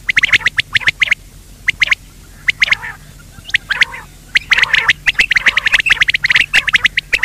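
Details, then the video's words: Quail lure sound for hunting with nets, with dense, rasping, stuttering bursts of notes following one another almost continuously with brief gaps. "بٹیر کی آواز,batair ki awaz, bater ki awaz,quail sound"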